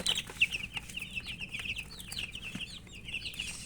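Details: Baby chickens thirsty for drinking water peep rapidly and irregularly, about three high chirps a second, overlapping into a busy chorus over a faint low hum.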